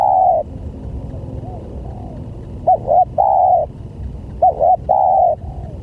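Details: Lure call of a spotted dove meant to draw in other doves: loud low coos, a long held note followed by two repeated phrases of two quick notes and a sustained coo, against constant low background hum.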